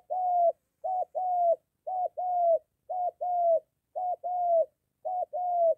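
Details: Spotted dove, a moulting caged lure bird near home meeting a wild male, cooing: clean low coos in pairs, a short note then a longer one, repeated about every second, no other sounds.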